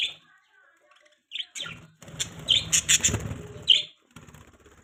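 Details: Budgerigar eating a green leaf, giving a few short, sharp high chirps amid broadband rustling and chewing noise, with a louder burst of scratchy chatter in the middle.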